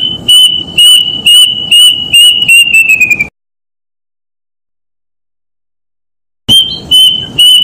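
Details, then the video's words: Plaintive cuckoo calling: a run of high, clear whistled notes at a steady pitch, about two each second, drifting slightly lower at the end. A three-second silence follows before the series starts again. "Suara Burung Kedasih"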